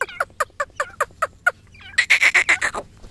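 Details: Black francolins fighting: harsh, rasping notes repeated about four times a second, a separate burst at first and then louder and faster, running together near the end.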